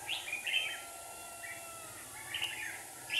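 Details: Red-whiskered bulbul decoy singing at a trap set with two decoy birds in Hòa Bình, Vietnam, to lure wild birds: a few short warbled phrases, bright and slightly buzzy, separated by pauses over a faint steady hum.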